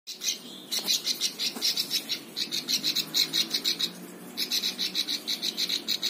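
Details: Plain prinia (ciblek sawah) singing, kept as a tutor recording for teaching other songbirds: fast runs of high, buzzy, pulsing notes, about six per second, broken by short pauses, with a faint low hum underneath.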